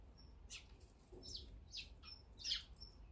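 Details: Eurasian tree sparrows feeding at great speed while the brown-eared bulbul is away. Short, bright chirps come in scattered bursts, with thin high notes between them and a low background rumble.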